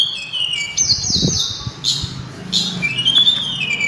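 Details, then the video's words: Sulingan, also called tledekan gunung, singing loud and melodious: clear whistled notes sliding downward, then a gap and a rising-falling whistle, over a low steady hum. "burung sulingan atau tledekan suara merdu langsung ngelangit berkicau"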